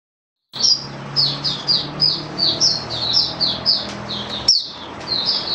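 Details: Caged oriental white-eye singing during a song-booster product test: a rapid run of high, thin whistled notes sliding downward, repeated several times a second, with a short pause midway and a low hum beneath.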